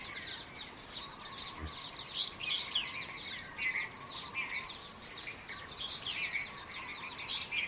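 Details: Common waxbill group in Kaohsiung, Taiwan, where the species is an escaped cage bird, 18 January 2018: continuous bright twittering, quick high chips and short trills overlapping without pause, faint background hum.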